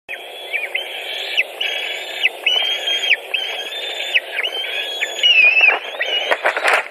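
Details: White-tailed eagles at a nest in Latvia, June 2019, during feeding as one young bird takes over a fish: a rapid series of high, flat squealing notes with abrupt drops, repeated about twice a second, ending with clattering.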